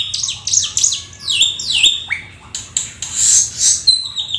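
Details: Black-winged starling singing a full, lively song of quick downslurred whistles and swooping notes, then softer scratchy chatter and a final level whistle.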